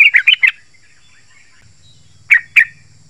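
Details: Yellow-vented bulbul call used to lure wild birds in forest or garden: a quick run of four bubbly, chirping notes, then a pause and two more sharp notes, with a faint low hum behind.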